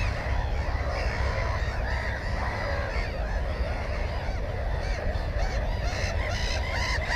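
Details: Black-headed gull at its nest holding one egg and one chick, filmed with a GoPro on 15 May 2016; harsh, arched calls come at intervals, growing denser toward the end, over a steady low rumble of wind.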